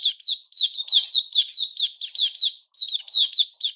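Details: A caged white-crowned shama, moulting into new feathers, recorded on 6 September 2021. It sings a steady stream of short, sweet whistled bursts, each sliding down in pitch, with one brief pause near the end.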